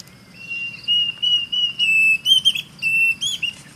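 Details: Diederik cuckoo calling in Salalah, Oman: a series of clear, pure whistled notes, some held and some clipped and rising, repeated about five times in under four seconds against a quiet background.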